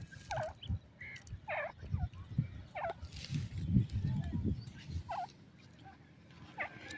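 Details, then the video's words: Grey francolin (teetar) giving short, sharp, rising calls repeated roughly once a second, each note bright and ringing with stacked overtones, set against a steady low rumble of background noise. "teetar ki anokhi awaz,francolin bird funny sound"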